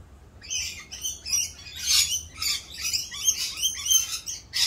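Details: Noisy rainbow lorikeets in mating season keep up a near-continuous chorus of shrill screeches and chattering squawks from several birds while performing their mating dance.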